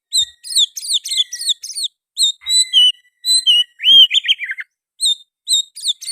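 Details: Oriental magpie-robin in loud, sustained song interwoven with sooty-headed bulbul phrases. Busy sequences of sharp whistled chirps and upslurs alternate with a lower, rich warbled flourish midway.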